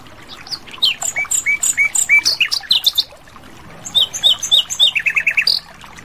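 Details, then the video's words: Asian brown flycatcher singing in the wild, delivering lively varied phrases: series of high thin whistles and downslurred chirps repeated about three per second, a pause, then another run of slurred notes ending in quick stuttering ticks. "Masteran Sikatan Londo Gacor Di Alam Liar"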